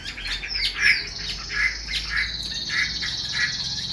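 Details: Female Chinese hwamei, a caged bird kept to stir up males, calling 'te dụ': short bright notes repeated about every half second over a faint steady high background whine.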